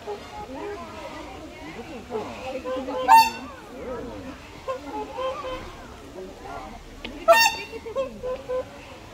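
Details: A captive whooper swan at Everland's Bird Paradise gives two loud, brassy trumpeting honks about four seconds apart, over the chatter of people nearby.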